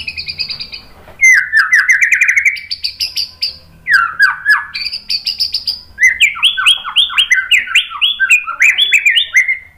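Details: White-rumped shama singing in a provoking masteran recording: a loud rolling series of rising slurred notes, buzzy trilled phrases and a quick run of bouncing whistled notes, delivered almost without break.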